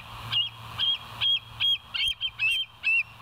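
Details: Piercing whistled calls from bald eagles on the West End live cam, 19 September 2023, 06:52; about eight shrill notes with slightly falling tails, spaced roughly every 0.4 seconds, over a faint steady low hum.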